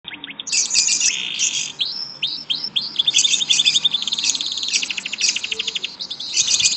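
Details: A caged canary (Serinus canaria) sings actively, a fast, continuous stream of bright trills, rolls and chirps.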